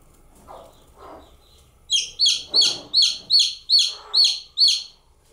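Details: A lone baby chick gives a run of eight shrill, falling peeps, evenly spaced about three per second, after a few soft, muffled lower sounds at the start.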